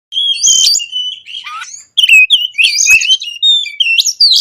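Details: Oriental magpie-robin in energetic konslet-style song packed with varied phrases, used as a lure to get quiet magpie-robins singing: sweet whistled notes and sharp rising slurs with harsh chattering bursts, briefly pausing near two seconds before resuming.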